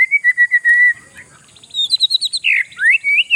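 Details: Oriental magpie-robin singing to rattle rival birds: a series of even whistled notes, a short pause, then a fast high twittering run and a couple of rising whistles.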